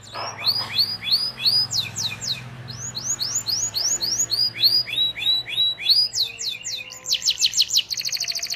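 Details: Loud canary lure song used to train young canaries: repeated rising-falling chirps in rapid series, shifting to higher sweeps and ending in a dense fast rattling trill.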